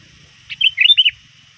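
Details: Sooty-headed bulbul, a trained lure bird calling rivals near dusk: a single quick bubbly phrase of four warbling notes, clear over a quiet background.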